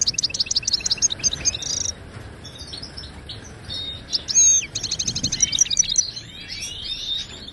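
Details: Native Moroccan goldfinch delivering a tutor song for caged birds: quick jangling twitters and trills in bursts, a short pause, then another fast rolling trill with scattered sharp chirps.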